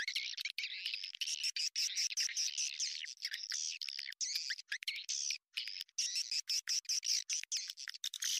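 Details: Lure sound of swiftlets, played to bring them into a bird house: a steady wash of high chirping and buzzy chatter from a crowd of birds, pulsing in rapid uneven bursts.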